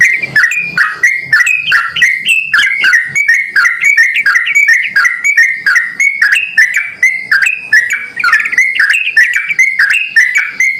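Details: Yellow-vented bulbul calling energetically as a lure for other bulbuls: an unbroken chatter of bubbly, liquid whistles, each note bending up or down, densely repeated throughout with no pause.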